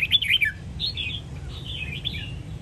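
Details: Red-whiskered bulbul of the Sông Kon strain, Quảng Nam, used as a song-training model for caged birds; a quick burst of bright warbled notes, then wavering slurred whistles over low background hum.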